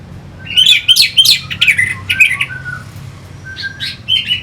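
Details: Orange-headed thrush, caged bird, song meant to provoke fighting birds; quick run of sharp chirps and warbled whistled notes in the first half, then softer scattered phrases over a low steady hum.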